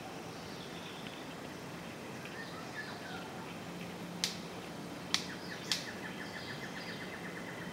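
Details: Orange-collared manakin during its courtship dance: three sharp, dry snaps at about one-second intervals near the end, with faint thin chirps of other birds and steady forest hiss behind.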